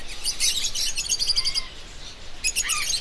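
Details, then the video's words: Busy chattering of parrots: rapid squeaky chirps and a few clear whistled notes, a short pause, then another burst of chirps ending in a falling whistle. "PSITACÍDEOS - Araras - Cacatuas - Papagaios - Periquitos - Animais da Fazenda - Som Dos Animais"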